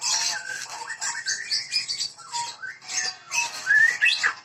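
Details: White-rumped shama of the Medan type, from bird breeding, singing vigorously: a dense run of short whistled slurs and rising notes mixed with high buzzy chatter, fairly continuous with brief dips.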